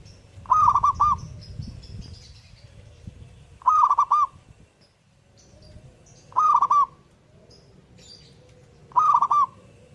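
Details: Energetic zebra dove song: four rapid, tremulous coo phrases at roughly two-and-a-half-second intervals, with scattered high twittering of other birds and some low background rumble.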